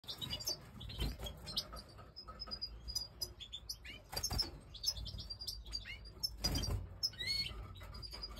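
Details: European goldfinch of the Major type, pied white-headed mutation, giving bright high twittering chirps and short rising and falling whistled sweeps, with broadband rustling and thumps throughout.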